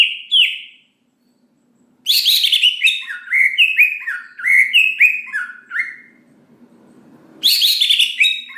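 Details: Greater green leafbird singing to spur other leafbirds into quick, lively song: bright whistled notes sliding downward, a short opening phrase, a pause, then a long run of rapid falling and rising whistles with rich harmonics.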